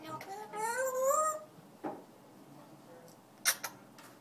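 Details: Pet African grey parrot singing indoors: a loud burst of rising, tonal whistled notes with rich harmonics for about a second, followed by a few faint clicks and short squeaks in a quiet room.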